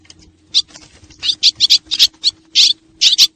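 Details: Lure recording of swallows from Xieng Khouang, Laos. Faint chirps open it, then louder sharp twitters come in uneven groups of two and three over a low hum.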